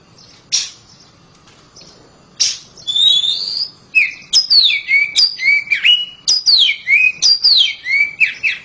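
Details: A caged oriental magpie-robin sings loudly. A few sharp clicks open, then a rising whistle, then a rapid run of clear downslurred whistles and chirps that follow each other without pause.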